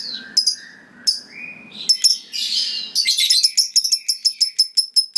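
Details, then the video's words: Lovebird kept for contests calling: soft whistles and sharp chirps build into a rapid, accelerating series of short, clipped, high chirps, several each second. "Suara Burung Lovebird Gacor Ngekek Panjang Bikin Lovebird Lawan Langsung Nyaut Ngekek"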